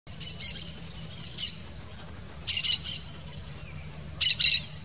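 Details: A pair of Yellow-chevroned Parakeets (Brotogeris chiriri) give harsh, scratchy chattering notes in short clusters of two or three, spaced irregularly over five seconds, above a steady high-pitched insect drone.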